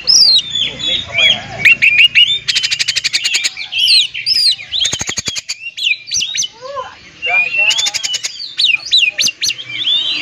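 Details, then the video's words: Oriental magpie-robin song used to provoke other magpie-robins into singing: a rich run of whistled, swooping and warbled phrases mixed with harsh rattling buzzes and rapid clicking trills, with brief pauses between bursts. "PANCINGAN KACER TERAMPUH DIDUNIA❗KACER BISU ANDA 1 DETIK LGSG KON⚡LET DAN TELER😱MUNTAH MATERI GACOR"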